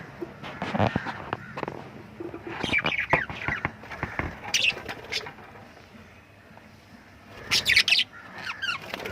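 Lovebirds chatter in sharp, shrill chirps and squeaks, coming in irregular bursts with brief quiet gaps, and a flurry of wingbeats or rustling.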